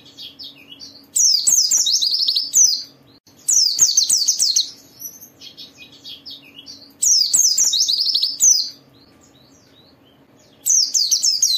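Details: Gacor white-eye song used to urge other white-eyes into song: four loud, rapid bursts of high, cascading chirps every few seconds, with softer twittering between, over a faint low hum.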